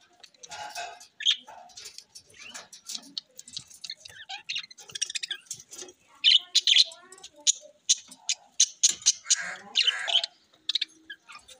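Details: Captive rainbow-coloured budgerigars, recorded October 9, 2023, keep up lively continuous warbling chatter of sharp chirps, clicks and short whistled slurs, growing denser and louder in the second half.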